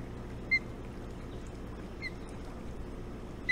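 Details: Osprey at a nest on Hog Island during a mid-morning feeding on 6 June 2017: three short, sharp, whistled chirps about one and a half seconds apart over a steady low hum.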